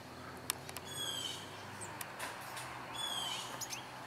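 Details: Blue Jays near a bird feeder mob an owl in daylight, giving harsh, rising squawks about two seconds apart with scattered clicks and chirps, trying to drive it off the feeder.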